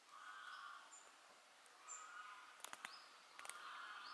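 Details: Great spotted woodpecker (Dendrocopos major) at Izliv Soče nature reserve, 5 October 2023, giving sharp, abrupt 'kix' notes, a pair and then a cluster of three, over a steady hiss with faint high bird whistles.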